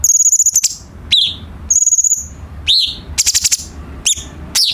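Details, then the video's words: Cucak cungkok bulbul song, used as a tutor for captive birds: two long high thin trills, each followed by a quick rising slurred note, then a burst of rapid buzzy rattling and more sharp upslurred chips. "KICAU BURUNG CUCAK CUNGKOK"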